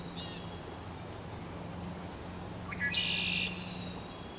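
A red-winged blackbird gives a quick rising note that breaks into a harsh, buzzy trill lasting about half a second, over a low steady hum.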